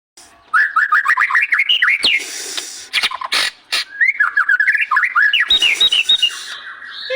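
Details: White-rumped shama in full vigorous song: a quick run of slurred, up-and-down whistled notes, then a second varied warbling phrase with higher sweeps, broken by sharp clicks and short rasping noise bursts.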